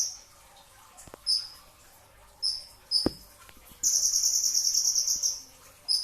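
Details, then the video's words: Brown-throated sunbird (kolibri ninja) before dawn at sahur, singing sharp high chips at irregular spacing, then a rapid dense trill of about twenty quick notes lasting over a second, with a faint click. "kicau konin dacok, kolibri ninja 2tak dada coklat full tembakan rapat"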